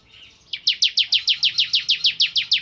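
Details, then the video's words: Bar-winged prinia in energetic 'nembak ngebren' singing: a steady run of about fourteen sharp, high down-slurred notes, repeated several times a second. "Suara Burung Ciblek Kristal Gacor"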